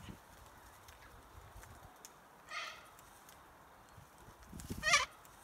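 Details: Corellas feeding on red Cotoneaster berries in roadside trees, arriving in droves when the berries ripen; two harsh, broad screeches, one faint near mid-clip and a louder one near the end, over a quiet background.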